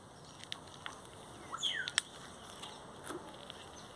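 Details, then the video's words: Great-tailed grackle (Quiscalus mexicanus) singing: a faint burst of dry clicks and a quick, sharply rising whistled sweep, then scattered ticking notes, quiet background; a Brugmansia aurea tree is present. "tordos cantando ( Quiscalus mexicanus)"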